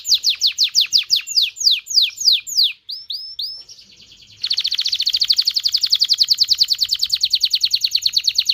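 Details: Canary song used to prompt mating: a run of loud repeated descending slurred notes, a brief pause with softer chirps, then a long fast even trill repeated about three times per second.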